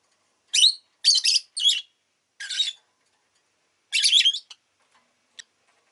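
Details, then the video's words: Pet rosy-faced lovebird chirping in loud, harsh, buzzy bursts, four quick ones in the first two seconds, then another at two and a half seconds and a longer rasping run near four seconds, with quiet gaps between. "Lovebird Chirping Sounds"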